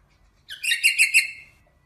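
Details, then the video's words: A single short rosella phrase: a bright, chattering trill of four to five quick notes, rising then steady, lasting about one second against a silent background. "SONG ROSELLA تغريد طائر الروزيلا الجميل"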